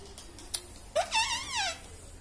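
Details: Talking pet parrot indoors producing one drawn-out, wavering, speech-like call that rises sharply and then slowly falls, after a single click.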